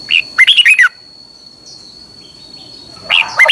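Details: Red-whiskered bulbul singing in Thailand for caged-bird training: a lively phrase of rapid, slurred whistles, a pause of about two seconds with a faint continuous high tone, then the next phrase begins.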